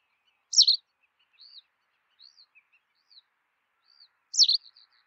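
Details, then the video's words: White wagtail giving two loud, sharp two-part chirps about four seconds apart, each a quick high slurred note, with soft thin twitters scattered between them. "Ak Kuyruksallayan , White Wagtail"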